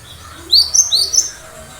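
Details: Brief sharp 'tembakan' from a gacor cinereous tit: two quick rising whistled notes, each followed by a higher clipped tick, all very high and thin.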